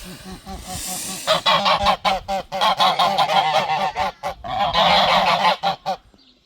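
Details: Geese in a garden protecting their territory, giving a loud alarm: rapid, harsh honking calls repeated densely in overlapping bursts, several birds calling together, with brief pauses between volleys.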